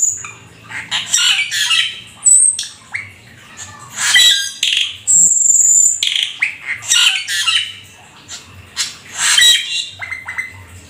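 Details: Black-winged starling, described as rare and exotic, singing loudly in full 'isian' style: bursts of grating squawks and buzzy chatter alternating with high thin whistles, continuous for about eleven seconds, over a faint low hum.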